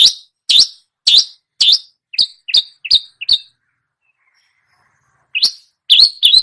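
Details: Long-tailed shrike imitating songbirds with a run of bright, sharp, rising chirps repeated roughly twice a second, a pause of about two seconds, then more chirps.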